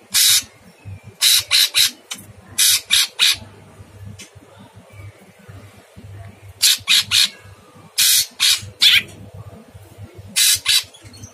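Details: Harsh-voiced masteran training song of a caged sooty-headed bulbul in full song: groups of three or four coarse, hissing squawks repeated every few seconds, steady low hum in the background.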